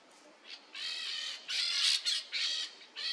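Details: Peach-fronted parakeet, known in Portuguese as jandaia-coquinho, perched atop a tree in Brazil, giving a run of harsh, raspy screeches, each about a quarter to half second long, several in quick succession with short gaps.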